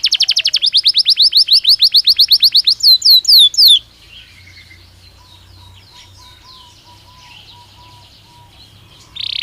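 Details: Belgian canary singing naturally, opening with a rapid, regular trill of sharp notes for about four seconds, then fast downward-sweeping whistles, followed by a quiet stretch with faint chirps and a brief loud burst at the end.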